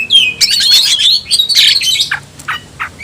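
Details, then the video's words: Oriental magpie-robin (kacer) of the tayoraky variety kept as a cage bird, giving rapid chattering whistles and scratchy trills, ending in a few lower, spaced clipped notes. "bikin suara kicau burung Kacer gacor dan ngotot buka ekor"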